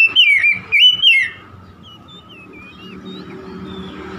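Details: Oriental magpie-robin giving a short gacor burst of three or four bright, slurred whistles, followed by a few faint thin notes and quiet background hum.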